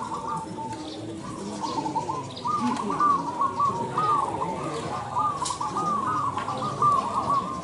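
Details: Zebra doves at a singing competition in Indonesia, cooing in repeated, rhythmic phrases of low, rolling notes that continue throughout. Several birds seem to overlap, with a constant murmur of background noise.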